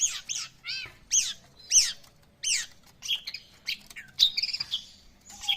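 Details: Long-tailed shrike singing vigorously: a loud, varied run of harsh, chattering notes and arched, squeaky whistles in short bursts about every half second, ending in brief sweet notes, with a faint steady low hum underneath.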